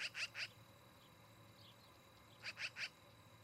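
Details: At a camera-watched osprey nest in Charlo, Montana, on 17 August in the evening, two tight bursts of three high whistled chirps sound about two seconds apart against a faint background hum.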